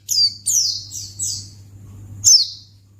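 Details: White-eye used as a lure sound to make other white-eyes respond: four thin, high, descending slurred notes in quick succession, a pause, then one louder downslurred note, over a steady low electrical hum.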